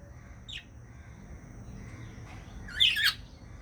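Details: A budgerigar named Charlie, preening his feathers, gives a short high chirp, then a brief burst of scratchy, warbling chatter.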